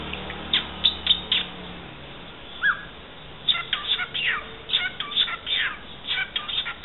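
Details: A cockatiel that mimics speech and sings parts of the Santos anthem gives rapid series of short, bright chirps, pausing midway, then chattering again in quick bursts.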